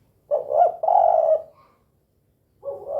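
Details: Tekukur, the spotted dove, in the 'kuk 2' style: one soft rolling coo with a brief break, then the start of the next coo after a short pause.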